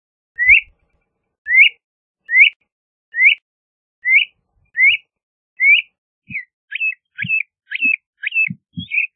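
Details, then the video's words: LeConte's thrasher giving seven matching upslurred whistles at a steady pace, followed by a faster series of short, sharply bent whistled notes with faint low taps underneath. "LeConte's Thrasher Bird Singing, Calling, Chirping - Cuitlacoche Pálido Canto"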